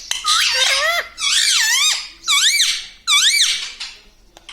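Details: Talking parrot indoors producing four squeaky, wavering tonal phrases about a second each, pitch swooping up and down like mimicked words, separated by short pauses in a small room.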